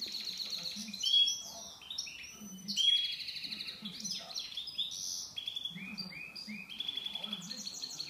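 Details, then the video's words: Goldfinch mule in full song: a continuous, rapid medley of high twitters, buzzy trills and clear whistled notes, varied and unbroken for the whole stretch, above a soft low background hum. "mullet chardonneret"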